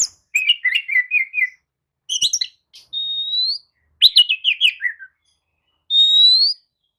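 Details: Oriental magpie-robin lure song, meant to rouse sluggish birds into answering: chattering descending trills, a short bright burst, then clear rising whistles held about half a second, delivered in separated phrases.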